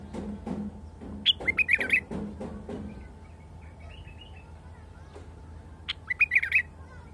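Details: A wild bulbul sings short bursts of bright, bubbling whistled notes, two phrases a few seconds apart, over low rhythmic thumps and a steady background hum.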